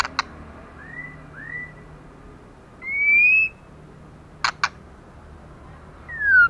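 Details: Female white-rumped shama, moulting bare, singing hard: scattered soft rising whistles, one long bright whistle, a pair of sharp snapping clicks, and a final descending whistle, with low hum underneath.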